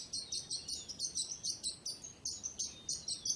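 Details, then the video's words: Bird chirping in a relaxing nature soundscape: high, short chirps repeated about three to four times a second, steady and bright, with faint background hiss. "Bird Sounds"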